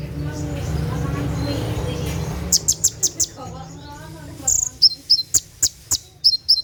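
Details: Konin sunbird at night, its 'tembakan' song for training captive birds: after a few seconds of broad noise, a run of quick, piercing high chirps and slurred double notes follows.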